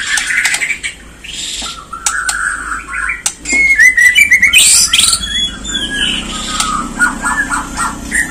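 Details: White-rumped shama, Bornean form, recorded as a lure to provoke singing and agitation: varied phrases of sharp clicks, bright rising whistles and fast twittering trills, with short pauses between bursts.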